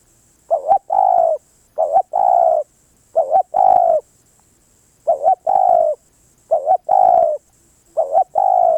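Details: Spotted dove song repeated steadily, about every 1.4 seconds, with six phrases. Each phrase is a quick two-part wavering coo, then a long, smooth, drawn-out note. There is little background sound.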